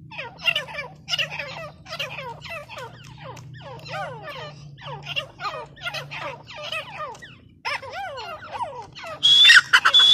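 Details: Female grey francolin calling: harsh, raspy notes with strong overtones, delivered in rapid uneven bursts of about two per second, many bending up then down, with a brief high thin whistle at the very end.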